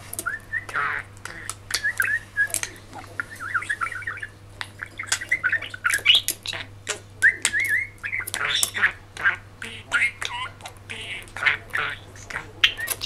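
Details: Male budgerigar, three and a half years old, kept as a pet, chattering excitedly at a mirror on a morning after rain: fast warbled babble, clicks and squeaky pseudo-speech in dense bursts, over a steady low hum.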